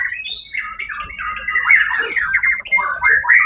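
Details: First-place white-rumped shama from a songbird competition, 1 October 2023, giving a sustained warbling phrase of overlapping whistles and rattling notes, rising at the start, then quick stuttered bursts.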